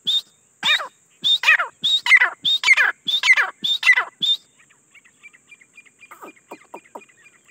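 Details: Calling grey francolin, local name teetar: evenly spaced loud, piercing phrases, each a high whistled start dropping into a harsh burst, repeated about every half second, then trailing off into faint ticking notes.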